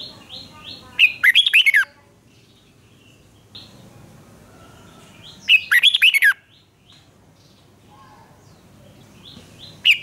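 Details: Duelling red-whiskered bulbul gives short loud phrases of rapid sweet chirped notes roughly every four and a half seconds, with soft high twitters between.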